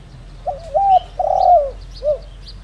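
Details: Spotted dove decoy bird, the 'đồng rặc' voice type, calling to stir up other doves. It gives one full phrase: a short coo, a clipped rising note, a long throaty rolling croo, then a brief soft closing coo.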